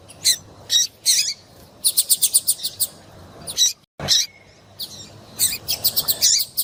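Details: Calls of a female double-collared seedeater, used to warm up a male for singing; a fast string of about seven tiny high notes, a brief gap, then further sharp chirps and another quick run.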